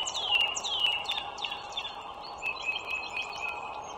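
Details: Wild bald eagle along a northern Virginia toll road, March 2023 morning: several quick, high squealing notes dropping in pitch, followed by weaker piping, all over a broad traffic drone.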